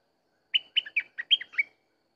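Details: A Sooty-headed bulbul gives a cheerful burst of about six fluty notes, alternating higher and lower, some ending in a downward slur. Nothing else is heard around it.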